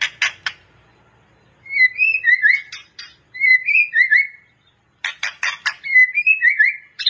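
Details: Gacor white-rumped shama singing as master song for training, clicking buzzy bursts opening and closing, between them repeated slurred whistled phrases rising and falling.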